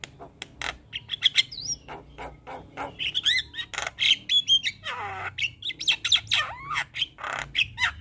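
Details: Energetic Javan myna song in a full 'isian' style, with rapid clicks and rasping chatter, short whistles, and a gliding whistle swooping down and back up near the middle; faint low hum underneath.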